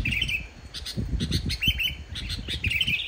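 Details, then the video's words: Sooty-headed bulbul singing vigorously without mimicked inserts, meant to lure other bulbuls into singing; short bubbly chirping phrases in bursts over steady low rumbling background noise. "suara burung kutilang gacor tanpa isian, ampuh buat pancingan burung kutilang yg male bunyi"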